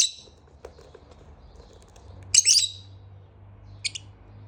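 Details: Pet lovebird in the morning giving a loud harsh chattering burst and a short double chirp, over a steady low hum and faint tapping.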